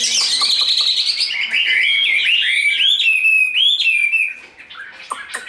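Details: Large, tame Chinese hwamei in a cage, singing in fighting display: bright descending whistles leading into rapid rising and falling slurred notes, then a quieter close with a few scattered clicks.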